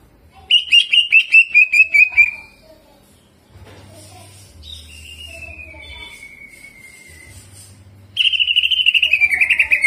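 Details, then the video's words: Greater green leafbird singing hard in the jamtrok style, rolling and mimicking prinia (ciblek): a rapid series of about ten descending whistled notes, a long falling whistle in the middle, then another fast run of bright notes. "CUCAK IJO GACOR JAMTROK ISIAN CIBLEK DAN NGEROLL"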